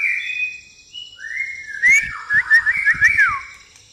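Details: White-rumped shama in pastol style with gereja tarung (fighting sparrow) fill; smooth held whistles lead into a quick string of sharp, clipped notes and a falling whistle.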